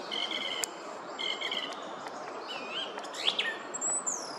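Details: A song thrush (Turdus philomelos) in woodland in the Oostvlietpolder, Netherlands, on 24 February 2021 sings a clear, fluty phrase twice in succession, then varied whistles and a high thin note, over steady background hiss.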